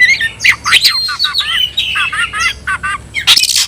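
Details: Oriental magpie-robin singing a new variant of the tayoraky-style song, in full voice and fanning its tail: quick sliding whistles and short warbled phrases, ending in a dense harsh burst.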